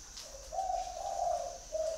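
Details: Spotted dove calling: a short low coo, then a longer, rolling double coo and a final clipped note, over a steady high-pitched background whine.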